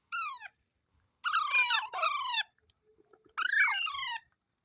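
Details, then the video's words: Parrot calling, harsh harmonic squawks that slur downward, three bursts with short gaps, in a quiet indoor setting. "Parrot Sound Videos Compilation | Natural Parrot Sounds Videos"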